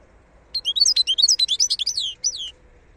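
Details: Wild European goldfinch, the khalawi of Algeria, singing a fast run of tinkling, liquid twitters and downslurred whistles for two seconds, notes tumbling about two per second, ending in a final clear slurred note.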